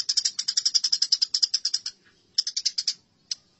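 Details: House sparrows fighting, from a tutor recording used to train songbirds: fast, harsh chattering notes in two dense bursts of roughly fifteen and seven chirps, then one lone chip near the end.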